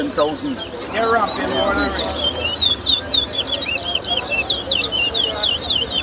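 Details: Competition singing of towa towa birds at Lusignan, Guyana, in 2022: fast strings of clear, bouncing whistled notes, about four per second, with people talking underneath.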